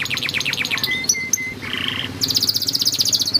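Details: Yellow canary in a singing training recording: a quick series of down-slurred notes, a few thin flat whistles and a short buzz, then a fast, bright trill.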